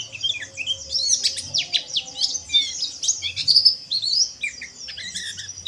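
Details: Energetic oriental white-eye chatter played to encourage white-eyes to sing; busy, high-pitched chirping with rapid descending ticks and brief trilled bursts, pulsing in waves over a faint low hum.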